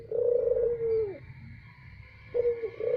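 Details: Barbary dove lure call, loud and low: a long purring coo ending in a downward slide, then after a pause the start of another phrase with its short clipped opening note; faint steady hum behind.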